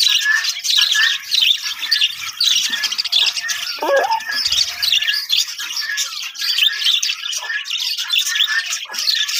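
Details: Captive budgerigar (Melopsittacus undulatus) colony: many birds chattering at once in a dense, continuous mix of high warbles, chirps and squawks with no pauses.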